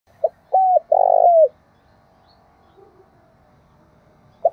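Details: Decoy spotted dove calling: a short low coo, a hooded coo, then a longer rolling, falling coo, followed by a quiet stretch with a faint low hum and one more brief coo at the end.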